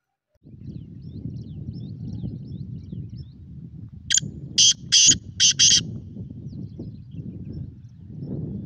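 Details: Black francolin call: a single loud phrase of four or five scratchy, high-pitched notes in the middle, with a constant low hum of outdoor noise before and after.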